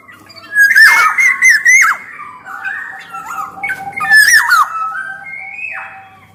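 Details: Black-naped oriole in lively song, a lure and tutor recording for its kind: harsh scratchy bursts layered over fluty downward-bending whistles, repeated twice, ending with a softer drawn-out note.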